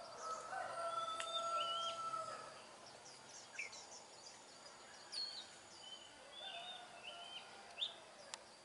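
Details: Oriental magpie-robin singing in the wild: faint, varied high whistles and short sliding notes in quick succession, with a long steady lower whistle early on and steady background hiss.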